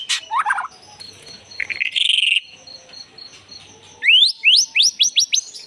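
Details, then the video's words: White-rumped shama lure song with a sharp opening note, a descending chattering trill, a buzzy rasping burst, then a pause before a run of six rising whistled slurs repeated in quick succession. "Pancingan Murai Batu"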